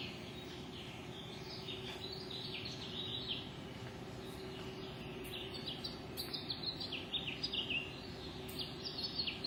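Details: Dawn birdsong outside at 5:33 am: several birds give overlapping sharp chirps and short twittering phrases, thin and high-pitched, growing denser and louder toward the end, over a constant low background hum.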